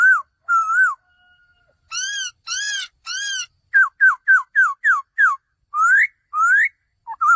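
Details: Male laughingthrush with wavering whistles and three harsh, arched notes, then a fast series of short, falling whistles and several long, rising slurs.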